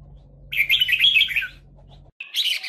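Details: Red-whiskered bulbul trapped with a lure bird, birds fighting; a dense burst of bright chirpy warbled notes for about a second, a pause, then another short chirpy burst, over a low steady hum.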